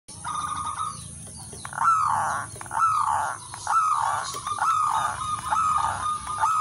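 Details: Wild local zebra dove in full cooing song, used as a lure and training model for other doves: rolling, hooked coos near one pitch, phrases repeated about every second, with a steady high electrical whine behind.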